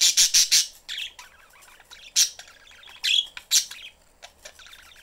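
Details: Pet budgies, a father, mother and young, in their cage; the young bird wants attention. Opens with a rapid run of loud shrill chirps, then softer warbling and a few sharp squawks.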